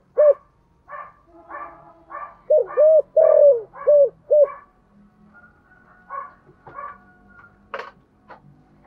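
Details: Spotted dove in 'giọng thổ' voice, a lure bird calling: soft low coos in the first half amid repeated higher chirps from another bird, then background clatter and faint tones.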